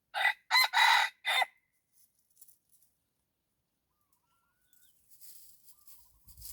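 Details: Decoy red junglefowl luring wild rivals, giving a full crow of four harsh notes: a short lead-in and two long strained bursts, then a clipped final note. Leaf rustling and scuffling follow in the quiet afterwards.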